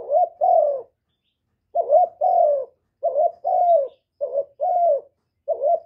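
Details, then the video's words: Kept spotted dove giving calls used to stimulate other doves, recorded without background noise. A run of five low two-note coos, a quick rising note then a longer falling one, coming faster toward the end. "Cu gáy hạp bổi GÁY GỌI + THÚC + GÙ + BO kích bổi hiệu quả, cu đất gáy, tiếng cu cườm gù, cu bo"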